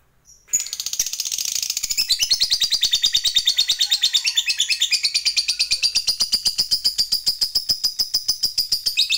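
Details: Lovebird fighter singing ngekek panjang, the long chattering song, on a lure recording; after a brief pause, a rapid high rattling trill starts abruptly and continues unbroken for about eight seconds, pulses slowing slightly toward the end.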